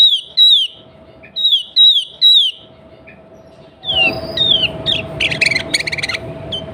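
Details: Female sooty-headed bulbul calling for a male, a sound meant to make bulbuls sing back: repeated bright, downslurred whistles in short bursts, then a louder rush of overlapping chirps and clicking notes over steady background noise.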